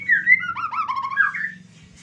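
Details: White-rumped shama in excessive breeding condition (over birahi), singing a loud, rapid phrase of varied whistled and chattering notes that sweep up and down, ending on a falling whistle, with a low hum underneath.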